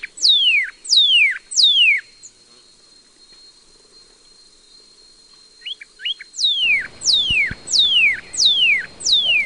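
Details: Northern cardinal at a nest with young, the father trying to get a nestling to leave; loud clear downslurred whistles sweeping from high to low, three in quick succession, a pause of about four seconds, then five more evenly repeated.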